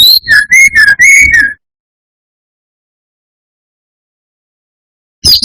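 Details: Brown-chested jungle flycatcher song used to provoke rival birds: a brisk run of loud whistled notes dropping from high to lower pitch, then silence before a brief new burst.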